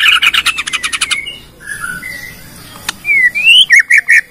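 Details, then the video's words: Bornean white-rumped shama lure song to prompt other shamas into singing, opening with a fast run of bright repeated notes, then quieter drawn-out whistles and a rising slurred whistle before crisp repeated chips. "PANCINGAN MURAI BORNEO BONGKAR ISIAN,, MEMANCING MURAI LAIN JADI BUNYI"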